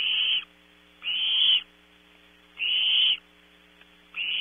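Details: Owlets of Barn owl in a nest box at Audubon Starr Ranch, California, competing for and eating prey around 3 a.m. Four raspy hissing bursts, evenly toned, spaced about a second apart, with a low constant hum underneath.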